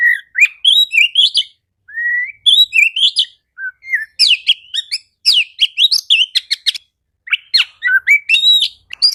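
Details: Kacer, the Oriental magpie-robin, singing as a lure for birds slow to sing: rich whistled phrases and slurred sweeps give way to a fast run of sharp chirps and trills.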